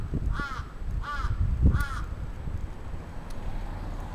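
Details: Crow attacking in Atsubetsu Ward, Sapporo, Japan, 27 June 2017: three rasping, arched caws about half a second apart, then low background rumble alone.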